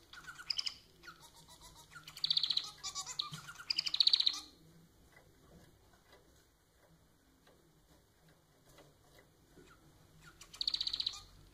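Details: Domestic society finch, Lonchura striata domestica, a pet bird, delivering loud buzzy high trilled phrases in three bursts early on, a quiet gap, then another trill near the end.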